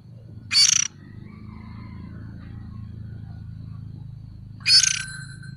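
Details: Oriental magpie-robin juvenile, lure sound: two scratchy, hissing rasps about four seconds apart, separated by soft faint chatter, over a continuous low hum.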